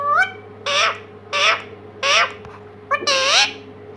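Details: A pet talking parrot called Mitthu gives four loud, harsh, speech-like squawks with bent, rising and falling tones, about one every second, over a steady indoor hum.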